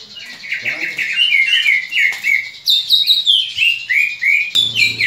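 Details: Fighting call of a greater green leafbird, used for training other leafbirds to fight: a dense, continuous stream of sharp whistles and chattering chirps, rising higher and louder in the second half, with a brief low thump near the end.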